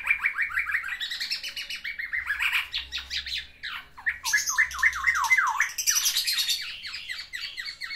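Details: Caged black-naped oriole courting a female, singing its isian fill-in phrases: a dense, rapid run of varied chattering notes and downward slurs, with harsher scratchy bursts near the end.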